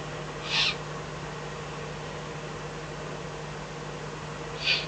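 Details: At night in the Eifel, 24 May 2014, a Eurasian eagle-owl with a fox as food gives two short, hoarse hissing calls about four seconds apart, fairly faint over a steady hum.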